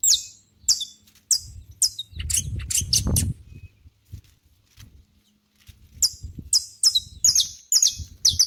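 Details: Saffron finch in a natural setting giving quick, high descending chirps in series, interrupted midway by a loud low-pitched noise burst before the chirping resumes at a brisk rate.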